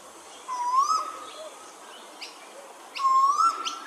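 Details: Male Eastern koel at Hervey Bay, Queensland: two loud whistled calls, each rising then holding a steady note, about two and a half seconds apart. Faint chirps from other birds are heard between them.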